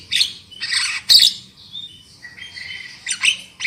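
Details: Javan myna used as a lure for loud singing: a few harsh buzzy bursts, then thin drawn-out whistles and squeaky notes, ending in another rasp.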